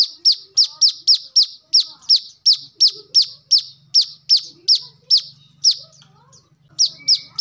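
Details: Kolibri kelapa, the brown-throated sunbird, used as a lure and training model: a long, steady series of piercing high, down-slurred notes at a fast pace, pausing near the end, then resuming, over a soft low hum.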